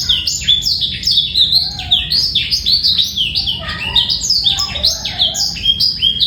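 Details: Lively song of a male black-throated canary, clear and free of rattling trills, made of rapid high chirps and falling slurs, with a few soft lower whistled notes mixed in.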